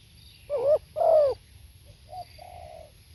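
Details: Spotted dove singing, recorded live: two loud, low, hoarse coos with a slight downward bend, then two softer, shorter coos near the end, over a faint steady background hum.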